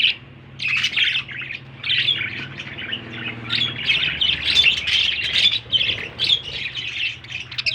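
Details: Young budgerigars grooming their feathers after eating chatter with continuous scratchy chirps and warbles, with a low hum behind them.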